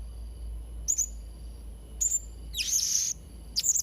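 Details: Blue-crowned hanging parrot (serindit trotol) for training young birds: a few scattered high squeaky notes and one longer hissing shrill phrase, with a low hum beneath.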